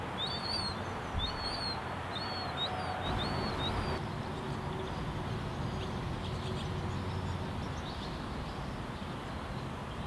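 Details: Juvenile common gulls being fed by a parent in Kristiansand in summer 2015 give thin, high, slurred peeps in quick series, mostly in the first four seconds, over low rumbling wind or traffic.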